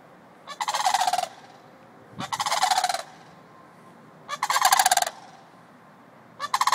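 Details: Two adult sandhill cranes at White Bear Lake, Minnesota give loud, rolling, trumpet-like rattles, four bursts just under a second each, spaced about two seconds apart, over a faint low hum.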